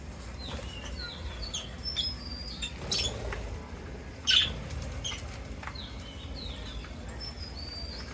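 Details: Parrots at feeding time on a foreign bird farm: short whistled chirps and rising squeaks, some high and thin, repeated irregularly from several birds, with wing flaps and one louder burst midway over steady low background noise.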